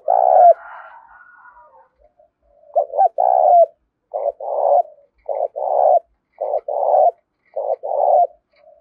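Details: Spotted dove giving 'thúc' style cooing meant to draw wild forest doves in fast; after one opening coo, a steady series of paired husky coos repeats roughly every second.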